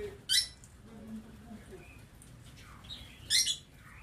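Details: Lovebirds in an aviary cage, recorded in November 2022: two loud, sharp piercing shrieks about three seconds apart, with faint low chirps and soft background noise between them.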